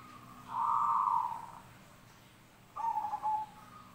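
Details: Zebra dove in a mixed song recording: a long trilled cooing phrase, then after a pause a shorter broken coo, over faint background hum.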